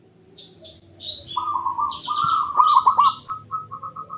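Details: Male zebra dove song used to prompt silent birds into singing: a run of soft, rapid, stuttering coo notes at steady mid pitch, ending in short evenly spaced beats, with higher chirps from other birds mixed in.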